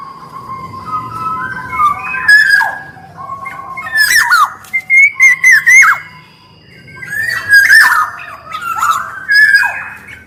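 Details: Black-naped oriole, male and female voices, prolific singer, fluty whistled phrases falling and rising, broken by short harsh buzzy bursts, in two bouts with a quiet pause between; a faint low hum underneath.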